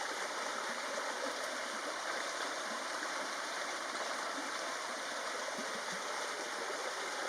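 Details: Steady rushing stream water fills the whole recording, with no animal calls audible above it.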